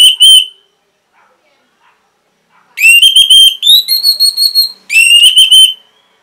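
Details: Orange-headed thrush singing, a recording played to caged birds to get silent ones singing again. A short whistled note, a pause of about two seconds, then two fast runs of bright rising and level whistles.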